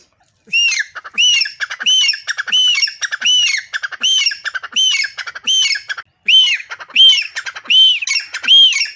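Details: A black francolin singing from a mango tree in a garden gives harsh, grating notes in a steady series, roughly one every three-quarters of a second, each with an arched, ringing tone.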